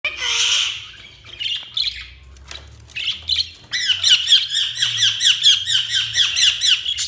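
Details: Budgerigars chirping: harsh squawks at first, then a fast run of repeated warbled chirps, roughly one per fifth of a second, in the high register.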